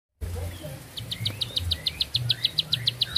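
A bar-winged prinia sings a rapid, even run of high, sharp chips, about six or seven per second, over a low background hum.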